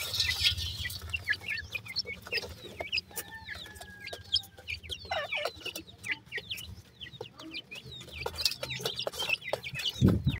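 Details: Grey francolin chicks keep up a lively patter of short high chirps and peeps, with a few drawn-out level whistles in the middle and a low rumbling hum throughout.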